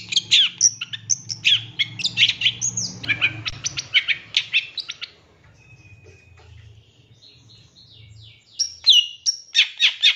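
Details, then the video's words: Long-tailed shrike master recording for training captive birds, full of varied fill phrases: rapid bursts of high chirps, trills and sharp notes, a quieter thin whistled passage midway, then loud clipped notes again, over a low steady hum. "Masteran Cendet Full Isian Nembak Mewah"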